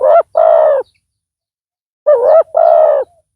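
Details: Spotted dove decoy with a big voice, set out to lure a rival: two couplets of harsh, mid-pitched coos, the second with a slight upward bend, separated by about a second of silence.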